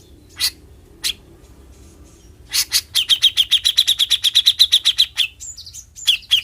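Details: Bearded bulbul singing besetan style: two isolated notes, then a dense, fast trill of identical chips lasting about two seconds, ending with a few higher twisting whistles.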